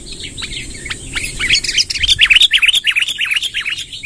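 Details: Sooty-headed bulbul delivering a 'tembakan' long rolling song ('ngerol panjang'): scattered chirps build into a fast rolling run of bright, rapidly repeated notes, about three per second, above a constant high whine.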